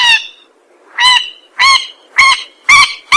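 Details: Rail lure call for trapping and hunters: loud nasal, honking squawks with rich harmonics, repeated steadily about twice a second, each with a slightly rising tail.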